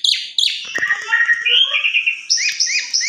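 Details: Asian pied starling with a long, melodious song: scratchy chattering opening, a rambling series of slurred whistles, then quick rising squeaky notes repeated at the end.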